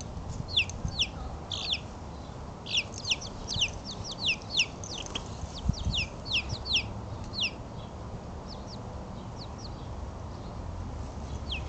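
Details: Outdoors for the first time, four chicks aged three weeks chirp on March 23 with rapid clusters of high, falling peeps that later thin out to occasional single notes, against a continuous low rumble of open-air noise.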